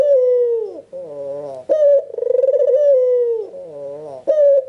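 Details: Red-eyed white Barbary dove, an albino, cooing persistently as a lure for other doves. Low mellow coos drop off at the tail, soft nasal rises separate them, and a fast rolling trill is woven into the middle phrase.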